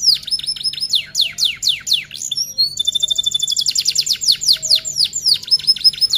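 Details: Energetic F1 canary delivering 'rol tembak' tutor song: steeply descending high whistles in quick runs, a bright rapid roll with pure repeated notes, then further cascades of falling whistled notes.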